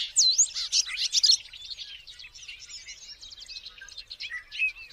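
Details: Bobolink song: a loud burst of bubbly, tumbling metallic notes and quick upslurred whistles that fades into a softer, continuing jumble of high twittering phrases.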